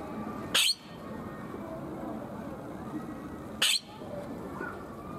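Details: Palawan peacock-pheasant at Ueno Zoo in Tokyo, Japan, giving two short, loud, harsh screeching bursts about three seconds apart over a steady murmur of zoo visitors and background hum.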